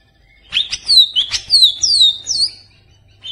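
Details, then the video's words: Greater green leafbird, a green songbird of the leafbird family, singing a loud bright phrase of clear whistled notes sliding downward, quick chattering elements between, used to provoke other kept birds into singing. "Pancingan Burung Cucak Ijo Stresss"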